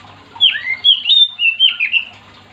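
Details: Oriental magpie-robin (kacer) in energetic song meant to draw other magpie-robins into singing: swooping whistles, a falling slur and several bright sustained notes packed into about two seconds.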